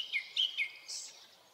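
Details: Early-summer Hokkaido forest, a Japanese thrush gives three quick clear whistled notes, then a short hissy buzz; recorded with a Nikon Coolpix P950.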